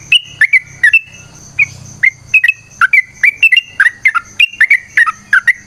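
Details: Yellow-vented bulbul in long, rapid, combative song used as a lure for other birds. Bright slurred whistles in quick succession, one brief pause after the first second, then a steady bubbling run of varied notes.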